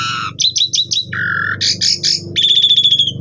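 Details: Asian pied starling singing constantly as a training lure, its song full of fill-in phrases: a burst of mixed notes, quick chirp runs, a flat buzzy tone, then a fast rattle, over a steady low hum.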